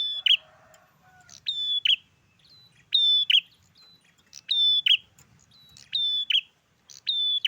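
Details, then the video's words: In a garden, a bar-winged prinia, locally prenjak klawu, sings actively. Bright, piercing two-part phrases come in rapid succession, about six in under eight seconds, after a brief softer twitter at the start. Faint low background noise. "Tes mental kebun prenjak gacor"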